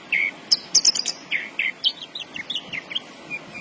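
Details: Javan bush lark in full song, giving a rapid jumble of high chirps, short sweeping whistles and buzzy notes with brief gaps, against faint low background noise.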